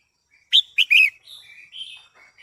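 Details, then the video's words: Female red-whiskered bulbul singing to excite a male, giving a quick run of three sharp, bright chirped notes, then softer rising and falling warbled notes trailing off. "Chào Mào Mái Hót Kích Trống Căng Lửa | เสียงนกกรงหัวจุกตัวเมียดังฟังชัดกระตุ้นนกตัวผู้หรือใช้ต่อคู่2"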